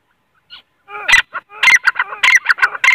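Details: Grey francolin, a kept bird raised by a hobbyist in Pakistan, gives a loud, harsh, rasping run of calls. The bursts follow each other in quick succession after a faint short note, with a nasal, buzzy ring throughout.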